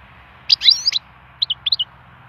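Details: Wild European goldfinch, song stimulation: a quick burst of tangled twittering notes followed by a few separate clear chirps.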